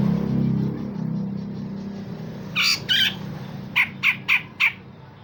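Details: Grey-cheeked bulbul, used to train other songbirds, gives two rough, rasping notes, then four short, sharp notes spaced evenly. A low hum is heard at the start.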